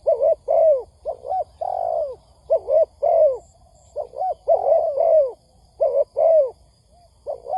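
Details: Trapping lure recording of a spotted dove: a busy run of soft coos, short doublets mixed with longer drawn notes that droop at the end, almost continuous. A faint high beep and low hum sit underneath.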